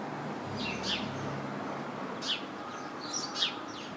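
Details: House sparrow chirping from a bush full of house sparrows; loud, sharp chirps come at uneven gaps, with quieter chirps from nearby birds.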